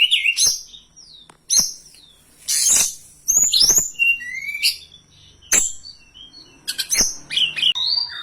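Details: Hill blue flycatcher song used as a lure and training recording: high whistled notes and quick rising slurs in short phrases separated by pauses, with several sharp clicks between them.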